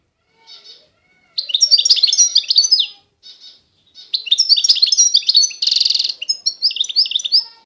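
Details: Eastern Algerian European goldfinch, Constantine type, in sustained twittering song: rapid, high, liquid trills and chirps run in long phrases. A brief nasal buzzy note sits mid-phrase, and short soft notes come between bursts.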